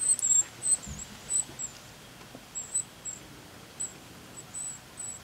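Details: Northern cardinal nestlings calling for food as the female feeds them at the nest: a run of thin, very high-pitched squeaks and short peeps, spaced irregularly, roughly fifteen in five seconds, with a few soft low thumps.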